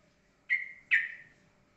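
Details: Yellow-vented bulbul delivering ropelan-style song, said to be steady and calm: two clear whistled notes in quick succession, the second louder and slightly falling, over a quiet low hum.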